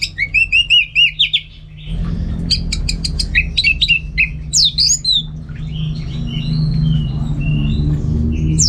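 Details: Contest orange-headed thrush in northern Bali opens with a fast series of repeated downslurred whistles, then mixes chirps and sharp notes that fade into softer scattered calls as low hum rises.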